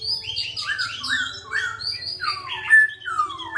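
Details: Songbird delivering a rapid run of descending slurred whistles about once per second, ending in clearer sustained whistled notes over a quiet low hum.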